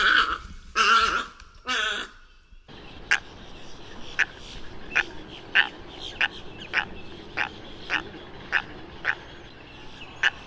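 Tricolored heron giving three harsh, nasal croaks in quick succession, followed by a run of sharp, dry clicks about twice a second.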